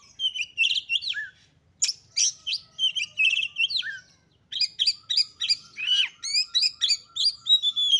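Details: Female Oriental magpie-robin calling, used to rouse males to anger and fighting. Rapid, varied high whistles and chattering notes repeat in quick rhythmic bursts, with a brief pause midway.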